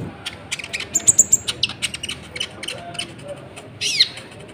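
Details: Sharp, high-pitched chirps and flicking notes from a brown-throated sunbird used to provoke rival birds, closing with a short burst of buzzy, descending notes.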